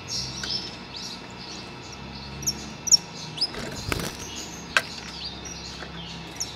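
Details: A saffron finch, excited on hearing other canaries sing, gives quick, high, sharp chirps in loose bursts, with a few knocks and a low background hum.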